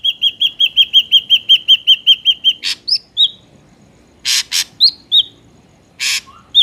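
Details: Ashy drongo, natural sound used for luring wild drongos: a long fast train of about fourteen identical whistled notes, then harsh rasping bursts mixed with short upslurred whistles.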